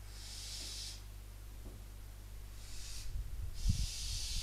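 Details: At night in Cabañeros National Park, Spain, barn owl nestlings give drawn-out breathy hisses, three in a few seconds, followed by low rustling and knocking near the nest.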